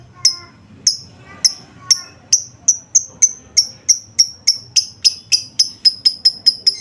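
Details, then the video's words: Lovebird lure call meant to make lovebirds respond and sing: a long series of short, piercing, ringing notes that speed up steadily into a rapid chattering run. "Suara pancingan Lovebird"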